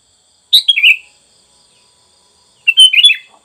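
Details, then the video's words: A sooty-headed bulbul gives two short, bubbly phrases of liquid, chortling notes about two seconds apart, with quiet pauses between them. "suara TERAPI kutilang Bahan"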